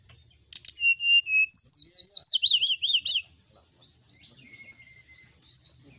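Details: Sooty-headed bulbul training song: a sharp note, a level whistle, then a fast series of about ten rhythmic, bouncing whistled notes, fading into softer twitters.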